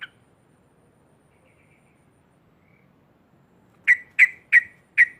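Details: Yellow-vented bulbul giving a loud chattering 'ngekek' song meant to provoke rival bulbuls: one faint note at the start, then near silence, then four harsh, loud notes in quick succession near the end.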